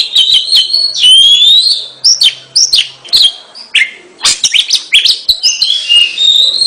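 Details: A gacor kacer, or Oriental magpie-robin, in full song: clear sustained whistles, some slurring upward, broken by scratchy chips and quick downslurred notes, then a warbled trilling phrase near the end.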